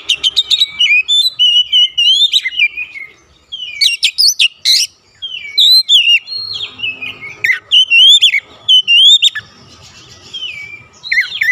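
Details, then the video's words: Oriental magpie-robin song as a lure to provoke rival magpie-robins: nearly continuous varied whistled and chipping phrases, sweeping up and down, with brief harsh bursts and short pauses. "TERBUKTI PANCINGAN AMPUH KACER APAPUN DIJAMIN LANGSUNG NGOTOT KONSLET"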